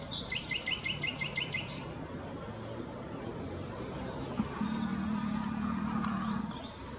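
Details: A willow warbler, recorded at Whitlingham on 2 May 2017, gives a brief mixed song (a muted willow warbler call after its mixed singing): a quick run of about eight repeated high notes, then a thin whistle, followed by passing traffic.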